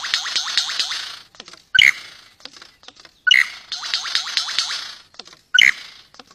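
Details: Courting superb lyrebird singing to its mate, alternating rapid rattling trills of stacked bright notes with a loud clipped whistled motif repeated three times, each motif followed by brief soft clicks and near silence.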